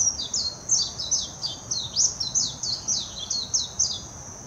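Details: Warbling white-eye in full song, Hashimoto, Wakayama, Japan, 26 June 2021, captured with a Nikon Coolpix P900: a long, lively stream of high, thin, descending twitters, roughly a dozen quick notes, against a continuous high insect-like whine.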